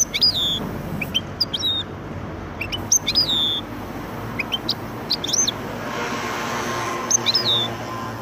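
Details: Sparse Widani-style phrases from a goldfinch-canary hybrid: isolated high chips and several down-slurred whistled notes spaced across the recording, separated by quieter gaps.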